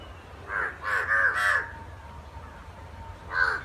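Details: Crows fighting: a burst of four harsh, grating caws close together, a quiet gap of nearly two seconds, then one final loud caw.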